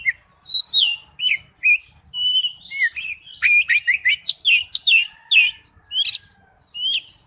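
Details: An Oriental magpie-robin delivers wild-style song: sweet whistles alternate with tight clusters of rapid chirps and downslurred notes, while a faint low rumble sits in the background.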